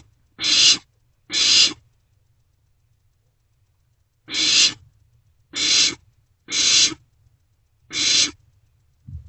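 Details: Barn owlets sharing a meal in a nest box at night; short harsh hissing screeches, two in quick succession, a pause, then four more and a faint low sound at the end.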